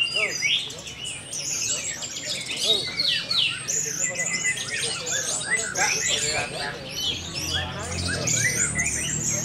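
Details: Four-month-old orange-headed thrush singing a dense, continuous stream of quick chirps, rising and falling whistled sweeps and high twitters, with a low hum and some human speech underneath.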